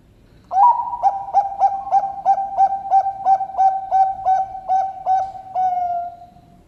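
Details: Bangkok-type zebra dove (perkutut) bred on a bird farm in Sidoarjo, East Java, Indonesia, kept for song contests; deep-voiced rhythmic cooing, an opening note then about twelve even, rolling coos, almost three a second, trailing into a held tone.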